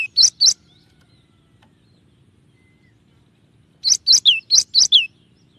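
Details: Cinereous tit (gelatik batu), clear tutor recording of 'tembakan' song: two sharp notes, a long pause, then a spaced run of six or so ringing whistled notes, some ending in downward slurs.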